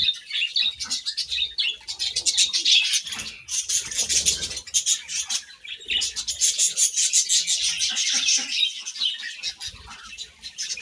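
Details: Grass-eating budgerigars keep up continuous high-pitched chattering, a dense mix of scratchy chirps and thin whistles that rises into two long loud spells.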